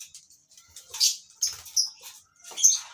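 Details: Shrill squeaks and buzzy chirps from lovebirds housed together for colony breeding, arriving in three or four loud bursts separated by short quiet gaps.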